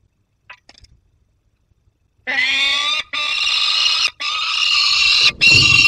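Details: Young peregrine falcon with prey, Barycz Valley, late August 2022. A few faint notes, then long rasping, whining screams that run almost without a break, each ending with a brief gap.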